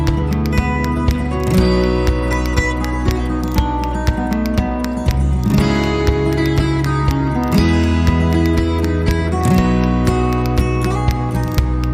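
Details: Steady instrumental music with plucked guitar and a regular beat fills the recording; no animal voices come through.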